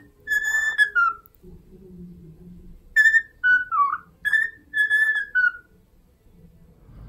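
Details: Pet cockatiel whistling the tune from My Neighbor Totoro: clear, flute-like notes in short phrases, some held steady, some dropping at the end, with gaps between and faint low murmuring in the background.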